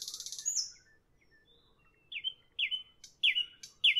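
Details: Evening nightingale: a high buzzy rattle fades into a pause, then loud descending whistled notes repeat roughly every half second, with faint low background hum.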